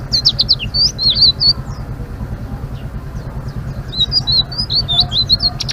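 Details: Blue-winged leafbird gives two bursts of rapid, high twittering whistles in ngeriwik style, separated by a quieter pause of about two seconds, over a low constant hum.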